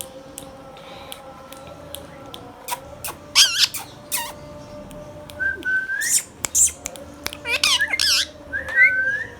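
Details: Hand-tame green Indian ringneck parrot indoors: loud, harsh, wavering high screeches in three bursts, mixed with short rising whistles and scattered clicks over a steady low hum.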